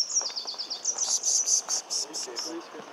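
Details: Singing male Pink-headed Warbler at the roadside edge of a large forest patch on the Ocosingo Highway, Chiapas, Mexico, 21 March 2014: a rapid series of high, thin, down-slurred notes repeated throughout, with faint lower chips behind.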